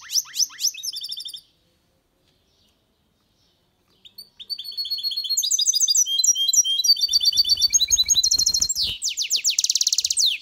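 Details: Caged mule goldfinch with a female goldfinch, mating. Brief buzzy trills come first, then a pause of silence, then a long, lively twittering warble. The song ends in dense, rasping rapid trills.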